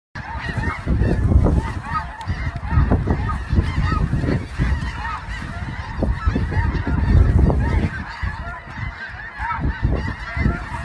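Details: Snow geese in a large flock, a dense continuous chorus of overlapping nasal honks throughout, over a heavy low rumble like wind or handling noise.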